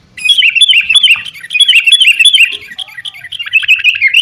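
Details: Sooty-headed bulbul singing as a lure to make caged birds sing, a continuous run of quick, slurred chattering notes repeated several times a second with bright overtones.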